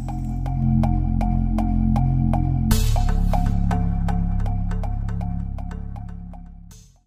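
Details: Only electronic music is heard: a steady ticking beat over deep sustained bass and synth tones, fading out at the end.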